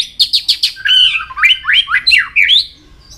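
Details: White-rumped shama song used for training, a varied many-voiced phrase: four quick buzzy notes, then a run of whistled slurred notes rising and falling, some sweeping upward at the end.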